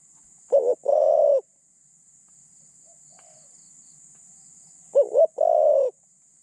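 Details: Decoy spotted dove for luring other doves, its mid-pitched voice having light phrasing; two phrases about four and a half seconds apart, each a quavering double note then a prolonged even coo, with near silence between.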